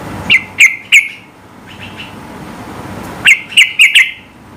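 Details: Sooty-headed bulbul giving a high-pitched song meant to provoke rivals into singing: loud, sharp, bubbly notes in a burst of three, a pause, then a quicker cluster of four.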